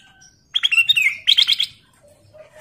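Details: Ruby-throated bulbul (Rubigula dispar) song: a quick, bright warbled phrase of clear fluty notes, about a second long, then a short pause and faint chirps.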